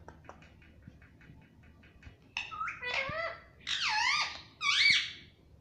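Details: Parrot talking "Mummy Mummy": faint soft ticks at first, then three loud, harsh, bending syllables in quick succession, each wavering up and down, over a low room hum.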